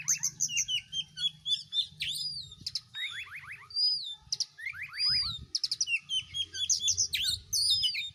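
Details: White-rumped shama singing a rich, varied song of clear whistles, sweeping upslurs and downslurs, and rapid buzzy trills in quick succession, with a faint low hum beneath.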